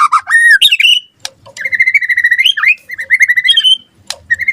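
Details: White-rumped shama (murai batu) in gacor song used as a lure and tutor: looping whistles, then a long even trill of repeated notes, a twisting slur and another steady trill.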